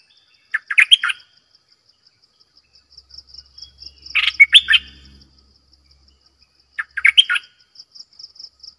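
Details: Decoy bulbul repeating three chortling, warbled phrases a few seconds apart, with soft low rumbling and a steady high pulsing buzz between them.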